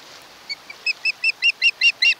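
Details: An osprey at a nest on Kent Island, Maryland, around midnight on 1–2 August 2018, home of a mated pair, gives a quickening series of short, high whistled chirps, about five a second, growing louder, over faint hiss.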